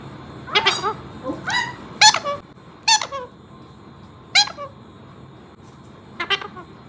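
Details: Pet parrots, four birds kept indoors, each saying "peekaboo" in its own style; six short squeaky spoken bursts, spaced irregularly a second or so apart, in a small room.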